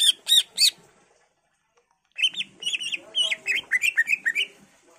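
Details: Greater green leafbird in full varied song, used to draw answering song from other leafbirds: three ringing notes, a pause, then fast, varied chattering phrases.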